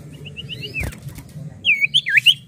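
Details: Common iora (cipoh) in active song: a soft series of five short even notes, a brief thump, then four louder twisting whistled notes in close succession over steady low hum.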